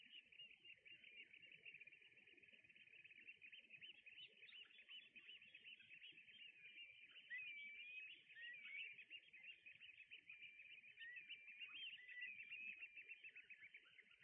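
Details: Red knots in a flock alongside brent geese on Juist island: a steady mass of soft, overlapping chattering calls with a faint low rumble beneath.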